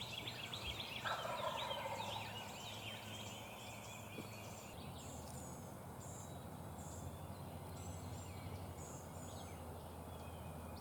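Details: Wild Turkey gobbler during a spring hunt in South Carolina, a bird that came at least 400 yards: one distant rattling gobble about a second in, then small birds chirping over steady background hiss and low rumble.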